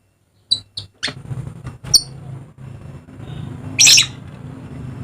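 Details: Papuan dusky lory making a few short clipped chips, then one louder grating screech, with a low hum underneath.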